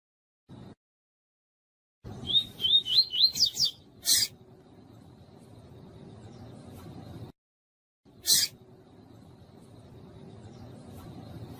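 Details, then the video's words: Double-collared seedeater female heard calling, a call for stimulating song in males; a brisk series of looping whistles climbing into upward sweeps, followed by two separate sharp clicks amid low hiss. "ÁUDIO COM PIADO DE FÊMEA DE PAPA CAPIM"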